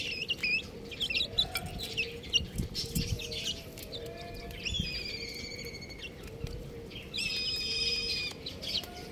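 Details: Baby chickens peeping, with quick high chirps early on, then drawn-out, slightly descending piping calls around the middle and end, over a constant low background hum.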